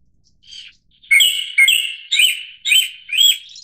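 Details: Turdus cardis, the Japanese thrush, delivering five loud rich whistled notes about half a second apart. Each note is slightly slurred and ringing, and they follow a faint soft opening note.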